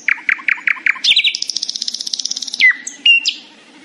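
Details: A nightingale sings happily in the morning, opening with five evenly spaced loud chirps, then a long rapid rattling trill of very high pulses, ending in a drawn whistle and a few sharp high notes.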